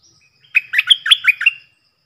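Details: Loud, clear song of a stripe-throated bulbul decoy bird, used to lure wild birds and train young birds; one burst of about six quick, liquid, gurgling notes.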